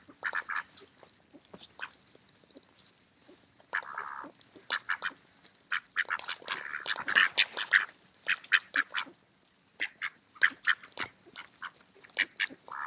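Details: Several mallard ducks feeding in a park on an autumn day give short, nasal quacks in loose bursts, mixed with rapid clicking and dabbling noises from their bills as they eat.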